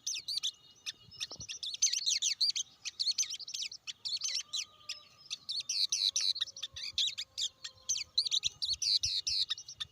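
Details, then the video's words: A blue-winged leafbird pours out lively high-pitched twittering, with quick chirps and slurred whistled notes in rapid, shifting phrases and short gaps. One low thump and a faint sliding tone sound underneath. "tiếng chim cánh xanh"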